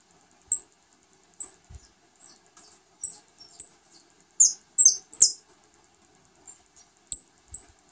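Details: High, piercing single chips from a saffron finch at the nest while feeding newly hatched young, spaced irregularly roughly once a second, with a brief cluster of sharper, overlapping squeaks toward the middle.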